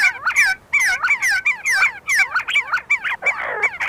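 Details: Loud, overlapping rapid whistled notes from a group of see-see partridges while feeding and fighting at the University of Sulaimani, Kurdistan, becoming a tangled, harsher chorus near the end.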